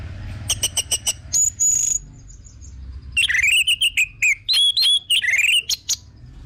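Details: Orange-headed thrush, used to draw other birds into song: clicky high ticks and a thin steady whistle, then varied looping warbled phrases in rapid succession.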